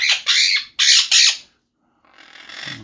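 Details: Pet Monk (Quaker) parakeets, newly rehomed and being trained with treats to talk, give four loud harsh squawks in quick succession over about 1.5 seconds, then a softer noisy rasp after a pause; just being loud.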